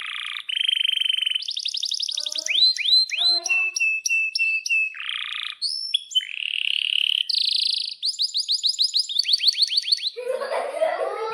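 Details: Canary in vigorous, long song used to tutor young canaries and silent birds: varied tours of buzzy bands, rapid downslurred chirp series and steady whistled notes, switching every second or so, ending in a harsh broadband rasp.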